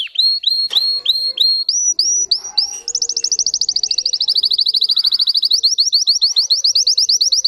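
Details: Russian canary, bred for song: a run of short upswept whistled notes, stepping slightly higher, breaks into a long rapid trill of high notes repeated evenly several times per second.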